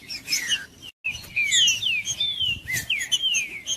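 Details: Green-winged saltator singing to encourage a cold bird to sing; descending whistled phrases broken by a brief gap of silence, then a fast series of clear falling whistles and a few ticks.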